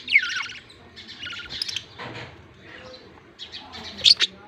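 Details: Budgie chicks calling as a male feeds them, October 18, 2023: a loud rasping chirp at the start, quieter scratchy notes through the middle, then sharp high squeaks near the end.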